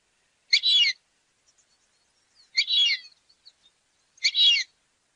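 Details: Fulvous whistling duck call offered for hunting use: three short, squeaky, high whistled notes about two seconds apart, with faint chirps between them and no other sounds.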